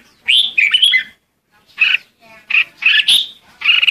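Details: Lure song of a red-whiskered bulbul used to call the flock: a rich warbled opening phrase, a pause, then several loud, rapid chirruping notes.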